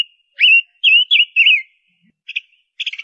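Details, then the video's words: Ngũ sắc bird, a female used as a lure, sings four smooth wavering whistles in quick succession, then two brief buzzy chirps. "Tiếng chim Ngũ Sắc mái hót, Chim Ngũ Sắc mồi"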